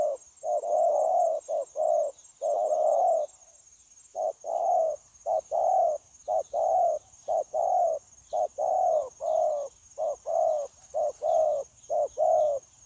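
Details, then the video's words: Freshly caught spotted dove cooing continuously, 9 January 2024; a few coos, a pause of about a second, then a long rapid run of deep short-then-long coo pairs, steady hiss underneath. "Bổi Quá Chịu Gù | Nết gù liền lạc liên tục"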